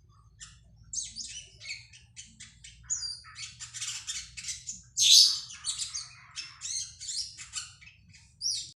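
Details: Vigorous cak keling song: rapid, high, rasping chatter in repeated bursts, with one loud squawking phrase midway and a low background hum. The bird reportedly sings morning to night since eating catfish pellets.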